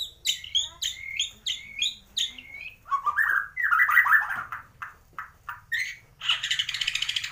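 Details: Bornean white-rumped shama, locally murai batu gembung, from Kalimantan, singing mimicked phrases of swiftlet, fighting sparrow and lovebird: repeated high bouncing whistled notes, a lower chattering warble, then a fast buzzy trill at the end.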